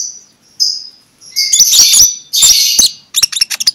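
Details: Morning magpie-robin song in 'ngeplong' style, played to stir lazy magpie-robins into song: a thin high whistle, then loud rich warbled bursts with sharp clicks and a fast run of chipping notes.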